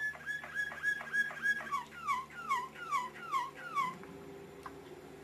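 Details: Lemon canary singing a phrase of about eight whistled notes, each sweeping sharply downward, repeated roughly every half second for four seconds before stopping, followed by quiet room hum.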